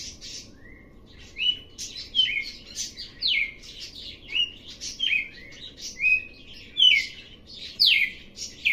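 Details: A red-cowled cardinal sings a quick run of slurred whistles and sharp chips, starting quiet and growing steadily louder, described as an unusual bird that begins low and builds its song, over faint low hum.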